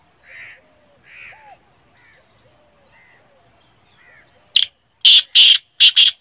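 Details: Quiet warbled chirps from other birds give way to a black francolin's loud call: five harsh, scratchy notes delivered in an uneven rhythm near the end.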